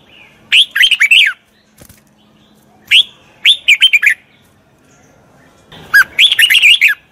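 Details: A Red-whiskered Bulbul, described as a wild-caught bird practising its voice, sings three bursts of bubbly, rapidly warbled notes, each about a second long, with short quiet pauses between.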